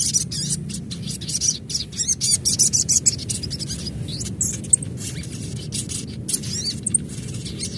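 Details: Adult ruby-cheeked sunbird (sogon) calling: dense, rapid, high-pitched chirps and twitters, many short notes in quick bursts with brief gaps throughout, over a low steady rumble of background noise.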